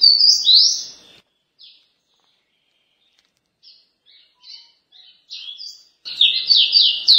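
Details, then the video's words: Paraense-style song of a caboclinho: loud high warbled phrases open, quieter scattered notes follow, then a fast burst of rising and falling whistled syllables closes the passage. "CABOCLINHO LINDO - PARAENSE"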